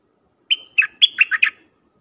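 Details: Dok taeng decoy bird, kept to call in wild birds, sings a short whistled phrase: a long high opening note followed by five quick slurred notes, rising and falling, with near silence around it.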